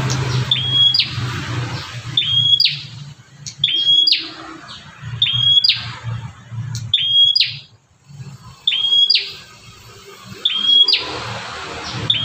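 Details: Fierce Bar-winged prinia outside a cage, calling to lure other prinias; repeated sharp whistles with buzzy tails about every second and a half, over continuous background music.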